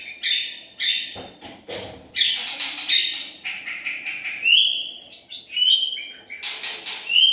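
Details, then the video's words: White-rumped shama used as a lure sound, giving a mixed song of harsh rasping bursts and high clear whistled notes, with several short rising and sliding whistles toward the end. "Murai batu pikat"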